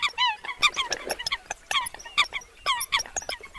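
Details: Eurasian coots trade quick, high, nasal yelps and honks in rapid bursts, closely packed and loud, with brief gaps between clusters of notes.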